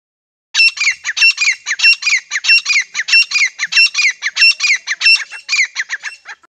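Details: Male and female grey francolins calling together in breeding season, used as a hunting sound: a continuous run of loud, harsh, ringing notes repeated about one and a half times per second for six seconds, with no other sounds.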